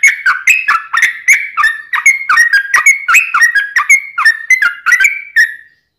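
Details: Long nonstop rolling song of a Yellow-vented bulbul, meant for tutoring songbirds and drawing in wild bulbuls: a steady run of liquid, slurred whistled notes, about two per second, ending on a fading note.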